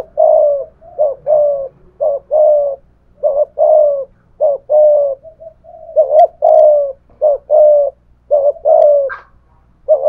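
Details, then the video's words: A decoy spotted dove with the 'thổ pha thúc' voice challenges a wild dove. Deep, raspy coos repeat quickly for ten seconds, about one per second, with occasional faint high clicks. "cu gáy giọng thổ pha thúc GÙ đấu với bổi, tiếng gáy bổi nghe rất ghét và gáy theo hiệu quả"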